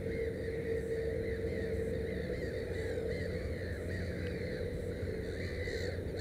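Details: Black-headed gulls at a nest with three chicks give harsh, scratchy, repeated cries in a steady chatter, over a constant low rumble of wind or distant noise.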